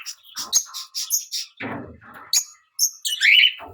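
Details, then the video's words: Fischer's lovebird giving quick high chirps and squeaky twitters in a busy run, broken by a rough lower scratchy noise, ending in a louder shrill squawk. "Fischer's lovebird | Lovebird Chirping Sounds"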